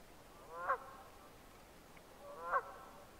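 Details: Red-breasted merganser giving two brief, rising nasal calls about two seconds apart, each a rich harmonic burst, with steady background hiss.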